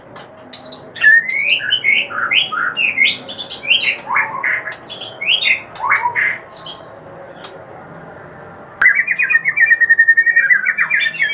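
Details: White-rumped shama kretekan, meant to rile up other shamas: scattered sharp rising whistles and chips, then a fast buzzy, rattling series of repeated notes through the final seconds, with constant background hiss.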